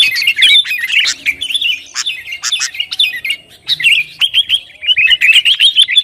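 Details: Sooty-headed bulbul singing busily in gacor style used to stir rivals: rapid wavering whistled phrases and sharp chips, nearly continuous, with a faint low hum underneath.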